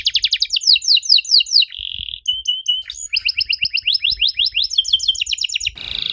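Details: Canary song played to prompt young canaries to answer: quick descending sweeps, a short buzzy trill, clipped pulses, then more rapid sweeping notes, closing with a brief noisy burst.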